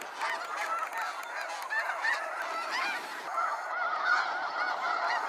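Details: Massed honking of snow geese leaving at sunset from Sacramento National Wildlife Refuge, a thick wall of overlapping barking calls that swells slightly toward the end as the flock passes.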